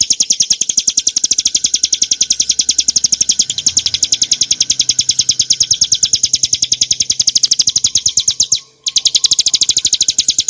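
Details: Prinia familiaris montana (ciblek gunung) in a long, clear ngebren nembak song for cage-bird training, with dense, fast repeated high chirps running steadily for most of the stretch, a brief silence near the end, then resuming.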